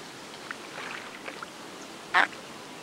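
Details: Andean coot, locally called gallareta, at Lago San Pablo near Otavalo, Imbabura, Ecuador: a single loud, abrupt, harsh call stands out after faint softer notes, against steady open-air background noise.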